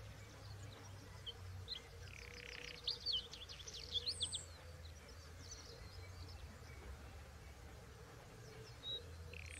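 Bluethroat singing a brief burst of sharp, metallic high notes and rapid ringing phrases, with scattered chirps over a steady low hum.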